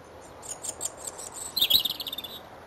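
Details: A male European robin sings from a hawthorn tree in Wendron, Cornwall, on a cold grey January morning (25 January 2015). He gives a thin, very high phrase of a few sharp notes, then a quick, liquid warbling trill, over faint hiss. A rival's answering song is faintly audible when he pauses.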